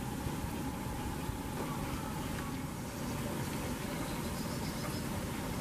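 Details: Continuous low rumble and broadband hiss under a faint steady hum, with no animal calls.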